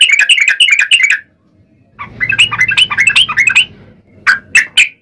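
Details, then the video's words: Yellow-vented bulbul delivering long rolling song to draw other bulbuls into singing. A fast chattering phrase is followed by a pause, then a longer, looser run of bubbly notes and three separate closing chirps. "trucukan gacor ROPEL PANJANG buat pancingan trucukan agar bunyi"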